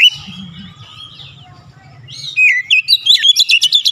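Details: Oriental magpie-robin song in gacor style: a thin sustained whistle over low rumbling background, then a quick phrase of bright swooping whistles and staccato chirps repeated about three times a second.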